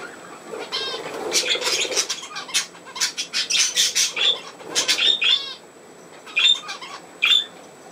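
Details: Budgerigars kept as pets, playing on 27 August 2024, give a run of rapid buzzy chirps and warbles with sharp clicking notes, ending in a few isolated high squeaks.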